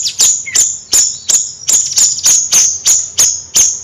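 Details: Steady nyrecet chattering from a Bayeman bird: about ten sharp, very high clicking chips joined by thin whistles, repeated roughly three times per second, with a faint low hum in the background.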